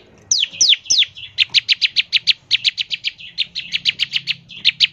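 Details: Bar-winged prinia song in a fast lively 'ngebren' style, used as a lure to get prinias singing: a few high downslurred whistles, then rapid repeated sharp chips, about five per second, without pause.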